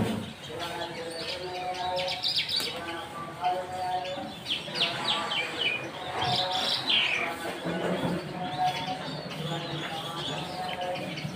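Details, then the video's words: Singing bird repeating sharp chirps and short twittering phrases throughout, with a lower background of speech or music running beneath. "Mushadi Irani jal singing bird"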